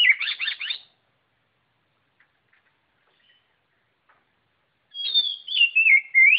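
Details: White-rumped shama opening with a rapid, rattling chatter of notes, falling silent apart from faint ticks, then resuming with a loud phrase of slurred, descending fluty whistles.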